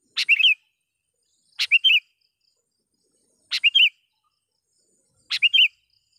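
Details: Four crisp, rollicking call phrases from a gacor sooty-headed bulbul, each a sharp click then two or three warbled notes, spaced about two seconds apart, used to summon wild bulbuls and challenge rivals.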